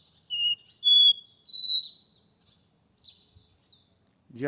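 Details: Porta-voz song of a caged Capped Seedeater from São Paulo, 12 August: four sweet whistled notes rising in pitch, each held longer, followed by softer slurred trailing notes and a closing thump.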